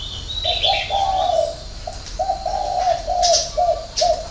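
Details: Spotted dove giving a six-note coo of the style called hậu 3: low, hollow cooing notes in a broken run, some drawn out and wavering. Thin high chirps from other small birds are heard above it.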